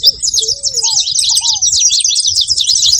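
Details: Saffron finches making noise: a dense, continuous stream of sharp, high chirps and tweets overlapping without pause, with a few lower, sliding whistled notes in the background.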